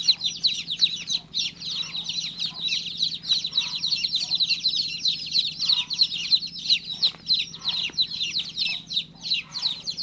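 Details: Baby chick giving a dense, continuous stream of shrill peeps, overlapping and rapid, barely pausing over ten seconds, over a soft constant low hum.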